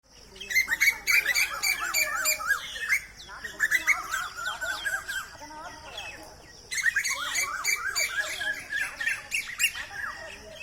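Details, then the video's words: Over fifty birds gathered in a single tree on a Friday morning, 22 March 2024, chirping together in a dense overlapping chorus of quick squeaky notes and short whistles, with a brief lull before the chatter resumes. "பறவைகள் எழுப்பும் சத்தம் || Birds chirping sound"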